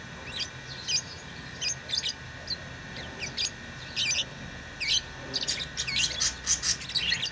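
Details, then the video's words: Lovebirds giving brief, piercing chirps spaced irregularly, a little sparser at first and busier toward the end, over a steady background hum. "Love birds beautiful Love ❤️ | chirping sounds | parrot beautiful sounds"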